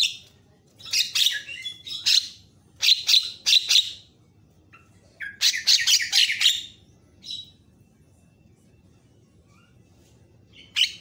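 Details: Javan myna tutor song intended to provoke other mynas; dense bursts of rasping chatter and squawks in groups of several notes, separated by short pauses, ending in a single harsh call.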